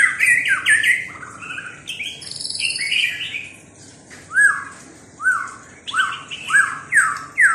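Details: White-rumped shama singing clear whistled phrases mixed with a buzzy trill, then repeating a looping, down-slurred whistle about once a second toward the end; loud and close, with no other clear sounds.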